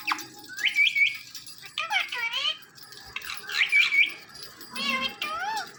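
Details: Indian ringneck parrot, a talking pet bird, giving high chirpy squeaks and fast twittering phrases in repeated bursts over a faint steady background hum.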